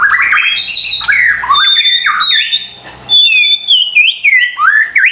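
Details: White-rumped shama used as a lure song to rouse stressed or silent birds into singing, a loud rich series of whistled notes, some sliding up and down, with a brief pause midway before bright rising phrases resume.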